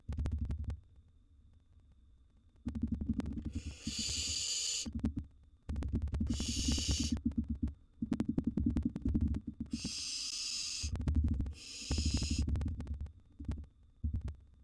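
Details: A feeding scene at a wild barn owl nest box: a mouse is dropped in while a second nestling eats a big gerbil. Four harsh, breathy hisses of about a second each come between loud bumping and scuffling.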